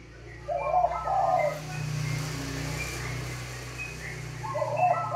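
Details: Caged local zebra dove in a rattan Mataraman cage singing keenly: two short burry cooing phrases, one near the start and one at the end, over a steady low engine-like rumble and background hiss.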